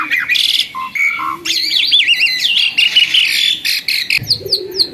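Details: Once skittish, now tame Asian pied starling in full song: warbling, wavering whistles and buzzy notes run together, ending in a few sharp downslurred chirps.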